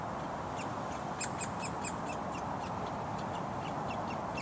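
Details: A hungry woodpecker fledgling in a Surrey front garden by a road, June 2022, gives harsh scratchy begging calls for food from its parent in a quick burst of five or six, with fainter ones continuing, over steady traffic rumble.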